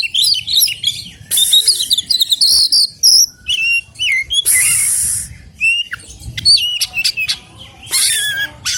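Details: Wild Oriental magpie-robin singing a rapid, varied high song of sharp whistles, slurred upslurs and dense buzzy bursts, phrases separated by short pauses, with a soft low rumble beneath.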